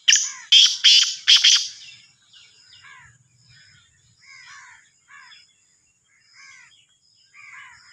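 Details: Sindhi kala teetar, the black francolin, from Sahiwal, opens with four loud grating buzzy notes, then several softer chirps of other birds continue over a quiet background.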